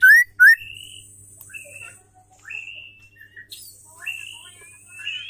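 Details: Female white-rumped shama whose song is meant to stir male birds to sing and show their repertoire: two loud sharp slurred whistles, then softer level and gently rising whistled notes spaced about half a second apart.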